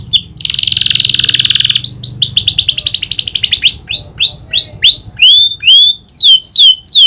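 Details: Canary in full song, filled with the prinia's clicks: a buzzy trill, a quick rattle, then loud rising-and-falling whistled notes repeated roughly twice a second.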